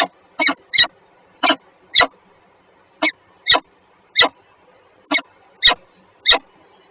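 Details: Peregrine falcons at Warsaw Żerań, Poland, on 14 February 2023 at 7:47, a pair. A steady run of about twelve harsh grating notes, spaced roughly half a second apart, with faint hum behind.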